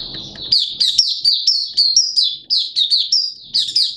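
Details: Malaysian Oriental white-eye, a caged hobby bird, opening into song: rapid high whistled notes, each sliding down, strung in quick bursts about four per second, with faint low rumble at the very start.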